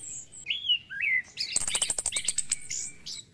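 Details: Orange-headed thrush in the morning, its song meant to prompt caged thrushes to sing. Rich wavering whistles slide down in pitch, then a fast rattling burst of sharp ticks with sweet notes woven in.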